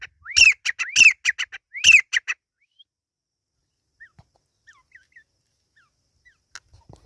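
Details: Partridge (teetar) chick calls: a quick burst of loud, harsh, arched notes with softer clicks between, about one per second, then near silence broken by faint chirps and a single tap.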